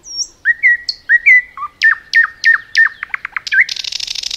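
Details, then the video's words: Nightingale song in forest: sustained whistled notes near one pitch, then sharp downward-slurred strokes and quick clicks, finishing in a rapid high buzzing trill. "Nightingale song"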